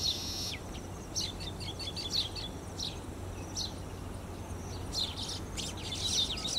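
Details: Baya weavers at Emaar Imperial Garden, Dwarka Expressway, Gurugram, India, chattering in high, scratchy chirps and short buzzy notes in quick bursts over a steady low hum.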